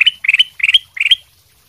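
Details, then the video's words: Sooty-headed bulbul masteran song, used to train other birds, described as lively. Four quick, bright chattering phrases, each of a few rapid notes ending in a high clear whistle, repeated about every 0.4 seconds. "suara masteran kutilang emas sutra gacor"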